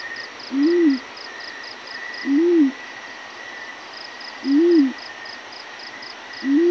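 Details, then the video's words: Four low, soft hoots from a yellow-breasted fruit dove in the morning, repeated about every two seconds, each arching up and down in pitch. Rhythmic insect pulsing and a faint steady whine run throughout. "yellow breasted fruit dove morning call"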